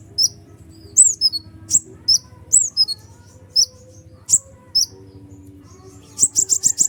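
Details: Kolibri ninja sunbird's provoking song: thin high chips and falling whistles, ending in a fast trill of repeated sharp notes, with faint low humming tones in the background.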